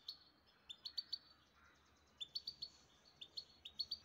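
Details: Pet grey-headed goldfinch kept in the city of Istaravshan singing: quick bursts of bright, high twittering notes and clipped trills in short phrases separated by brief pauses, with faint background noise.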